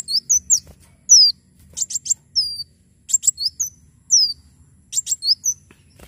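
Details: Javan sunbird in lively full song, used as a master tutor recording and to prompt other birds to sing: very high thin notes, sharp downward-slurred whistles and quick stacked chips in short bursts separated by brief pauses; otherwise quiet.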